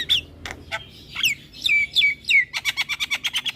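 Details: Captive Javan myna singing vigorously while nodding its head: scratchy, downward-slurred whistles and chattering notes, ending in a quick run of sharp clicking pulses at about five per second.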